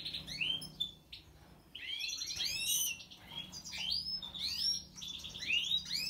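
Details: European goldfinch of the Major form with white throat: lively, tumbling twitter of rapid chirps and short upward-sliding notes, with a steady low hum underneath.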